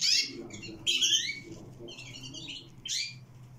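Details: Twenty-two-day-old canary chicks giving scratchy, buzzy calls, a loud rasping burst at the start and another near one second, then softer chattering squeaks and a final harsh note, over low hum.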